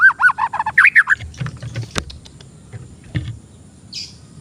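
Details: Masteran or pancingan recording of oriental magpie-robin song for young untrained birds: a run of rapid wavering whistled notes for about a second, followed by clattering knocks and a few soft chirps.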